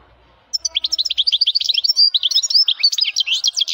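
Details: Male European goldfinch singing with a strong voice: after half a second of quiet, a fast, unbroken run of high, twittering and tinkling notes, rising and falling, continues to the end.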